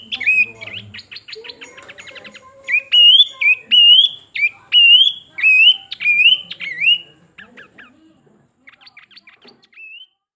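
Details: Pin-striped tit-babbler, locally called planduk semak, singing: harsh chattering notes, then a run of about seven loud rising whistled notes spaced roughly half a second apart, followed by softer clicking notes and a final lone whistle.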